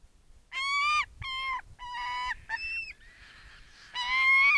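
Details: A female Saker falcon at the nest in Southern Siberia, calling loudly while holding prey the male brought for the nestlings: four or five harsh, nasal, drawn-out bursts of about half a second, the last rising and straining.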